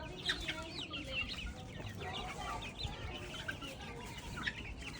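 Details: Many organic chicks ranging free across an open field, giving a dense chorus of shrill, down-slurred peeps, several per second from different birds, some louder chirps standing out near the start and end.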